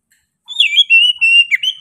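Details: Persistent singing from an Oriental magpie-robin: a burry, wavering opening note runs into a sustained clear whistle, then ends with a dipping, twisting flourish.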